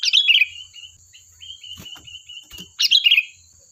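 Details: Sooty-headed bulbul, used as a lure to coax replies: a bubbly warbled phrase, then a thin, level, wavering whistle, then another warbled phrase, with soft clicks between.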